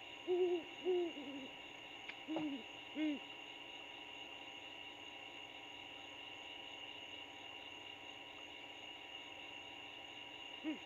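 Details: A great horned owl pair in an old bald eagle nest 75 ft up a pine at the Landings, Georgia, trades low, soft hoots, five in quick succession over three seconds and one more near the end, over a steady electronic hum.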